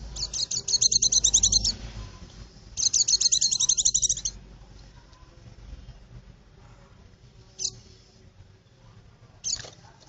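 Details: White-eye song used as a lure for birds in the forest: two rapid bursts of high, sharp chirping notes, each over a second long, then isolated single high chips after long pauses.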